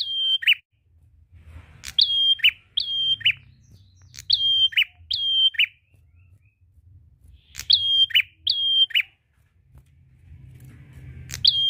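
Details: Prinia singing loudly at length, used to get reluctant birds singing: repeated pairs of whistled phrases, each ending in a buzzy lower note, in bursts separated by short pauses, over a faint low rumble.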